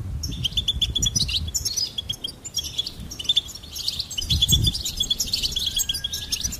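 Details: Goldfinch chirps and tinkling trills in quick runs, some notes repeated in even series, over intermittent low rumbling background noise.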